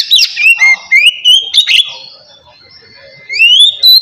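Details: Oriental magpie-robin in relaxed ngeplong song, meant to provoke lazy birds into singing: a quick series of clear sliding whistles and sharp chips, a drawn-out faint tone, then two rising whistles.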